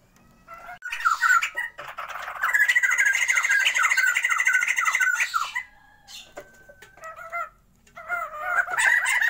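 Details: A caged Sumatran white-crested laughingthrush pair set up for breeding gives a long run of rapid repeated slurred notes within harsh chatter, then quieter scattered calls and a rising chattering burst.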